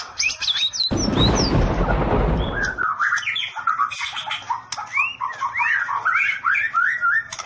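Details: White-rumped shama giving "sambaran listrik" (electric strike) style song. Short whistles open the passage, then a two-second burst of loud rushing noise covers it, followed by a string of bright, looping up-and-down whistled notes.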